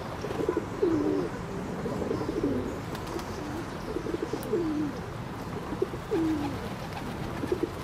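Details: Soft, low, falling whistled hoots from ring-necked ducks, repeated irregularly every second or so, clearest near the middle and end, over a rumbling, noisy backdrop.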